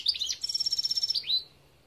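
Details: European goldfinch singing in 2021: a quick high twittering phrase, then a rapid buzzy trill of evenly repeated notes ending in a rising tinkling flourish, with a quiet background.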